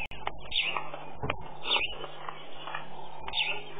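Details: Red-knobbed coot at Tau Game Lodge, South Africa, 1 June 2013, showing fancy footwork, gives three short, sharp high notes about a second apart over a steady low hum and background rustling.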